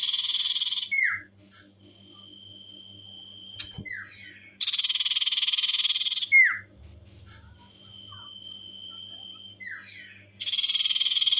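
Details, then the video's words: Loud, lively ngetir song of a common iora, alternating dense buzzy trills with downslurred notes and drawn-out flat whistles, three trill bursts in all; a steady low hum runs underneath throughout. "Burung sirtu/cipoh gacor ngetir polume tinggi"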